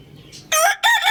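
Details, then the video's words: Rooster crowing loudly, heard as two short, loud, raspy bursts of a crow separated by a brief gap, with faint chicken murmuring beforehand. "Adorable Rooster Crowing Loudly"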